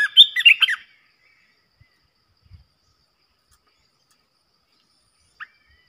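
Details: A single quick, chattering warbled phrase from a Red-whiskered bulbul used as an aggressive decoy to stir up other bulbuls opens the recording, then silence with one faint short note near the end.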